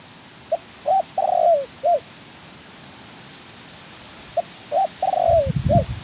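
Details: Spotted dove being trained as a trapping decoy repeats its cooing phrase twice: brief notes leading into a drawn-out, quavering, descending coo and a short final note, with a knocking sound at the end.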